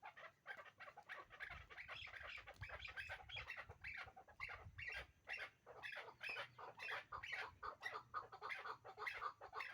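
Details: Kept hybrid chukar partridge pair utters a long, dense run of grating chuck notes, several per second, rough and uneven, over low rumbling background noise.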